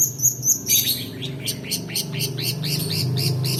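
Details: Long-tailed shrike song meant to provoke quiet birds into singing and to train others. A few high chirps are followed by an evenly spaced series of downslurred whistled notes over a low background rumble.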